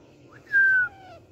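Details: Pet rose-ringed parakeet, active while playing in a garden, gives one loud, flat whistled note of about a third of a second, then a fainter falling tone, over a low background hum.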